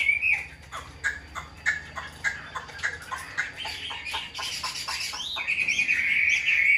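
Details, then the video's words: Tame caged hwamei carried by hand gives a series of short repeated notes about three per second, building into a buzzy, fuller passage and ending in a steady high warble. "Chim thuần sách tay hót, đấu tốt - Hoạt Họa Mi"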